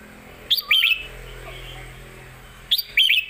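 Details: Caged Red-whiskered bulbul song used for teaching young birds: two short bursts of bright, fast warbled phrases, each a quick rising note followed by lilting whistled notes, separated by about two seconds of quiet background hum.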